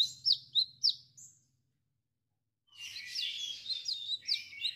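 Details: Chestnut-capped laughingthrush singing actively in Indonesia, with a 'wiceh wiceh' song. Three or four sharp, descending whistled notes come first, then a pause, then a dense, busier run of high whistles and chatter.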